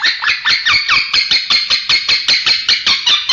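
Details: High, scratchy chattering from a male lovebird giving odd, indistinct sounds, with rapid pulsed notes in an even, rhythmic stream and some thin whistled tones on top, recorded indoors.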